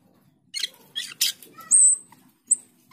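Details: Energetic singing from a starling (cucak keling, jalak keling): several harsh, raspy bursts with a faint low hum beneath, followed by a sharp whistled note that slides high and a shorter whistle echoing it.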